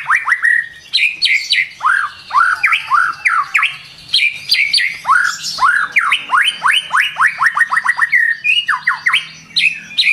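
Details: A White-rumped shama sings a lively morning lure song: varied loud whistled upsweeps and clipped chips, building into a fast rattling series of rising notes near the end.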